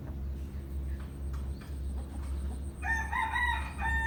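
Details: After nearly three seconds of low hum and a thin steady high tone, a rooster bursts into a rich, wavering crow that carries to the end, recorded in the morning.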